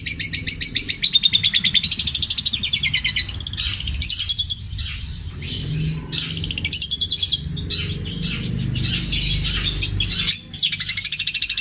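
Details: Long-tailed shrike singing a mimicry-rich song with kingfisher, kuntilanak and sparrow material in the petir style, long and repeated. Dense, varied high chattering phrases with rapid trills, quick sweeping whistles and brief pauses; faint low rumble beneath.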